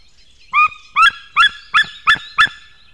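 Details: Male white-tailed eagle calling at its nest on 19 May 2016, early morning, while bringing fish: six loud, harsh yelping notes with strong overtones, spaced about a third of a second apart, in a quiet background.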